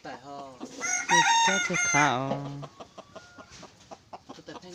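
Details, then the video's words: Decoy red junglefowl, described as crowing well and very loudly: a loud, rasping crow that breaks into a falling tail, followed by a run of sharp clicking taps. "qaib qus txuam seej heev li"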